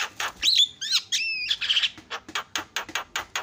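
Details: Asian pied starling singing to provoke other starlings: liquid downslurred and level whistles followed by a run of rapid harsh chattering notes.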